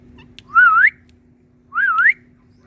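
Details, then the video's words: Green ringneck parakeet, an Indian talking parrot perched on a plant, gives two loud, pure whistles that waver and climb, about a second apart, against near silence and a low hum. "Indian Talking Parrot 🥀 Speaking On Plant🪴Green Ringneck"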